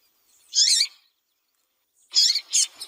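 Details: A female double-collared seedeater calls to warm up and excite a cold male into song. A sharp, high chirp is followed by a pause, then a quick cluster of bright chirps.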